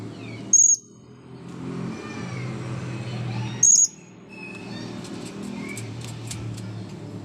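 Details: After its bath, a blue-crowned hanging parrot calls in front of the camera: two brief shrill high squeaks about three seconds apart, then faint softer chirps and ticks over a constant low rumble.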